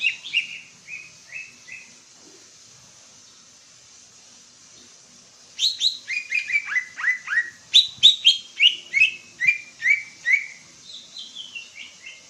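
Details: Greater green leafbird from East Java in lively song: a short run of repeated whistled notes, a pause, then a long sequence of loud, rapid, downward-slurred whistles repeated roughly every half second, fading near the end.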